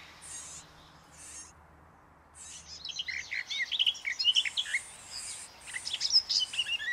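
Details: Garden Warbler song from a forest edge: a few short high buzzy notes and a pause, then a long, hurried, melodious warble of rolling, twisting phrases that continues to the end.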